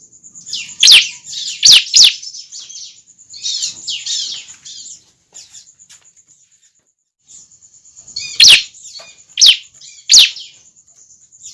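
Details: Bar-winged prinia chick uttering bursts of sharp descending chirps and scratchy twitters, falling quiet for a few seconds before another run of three loud chirps.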